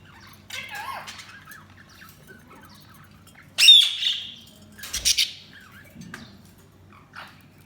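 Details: Budgerigars giving a few sharp squawks and chirps, spaced out over several seconds, with one loud harsh squawk standing out and quieter twitters around it.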